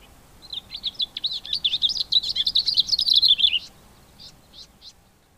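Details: Male Cape grassbird singing in September, at the start of the spring breeding season: a rapid, cheerful run of high chirping and warbling notes for about three seconds, then a few scattered short high notes.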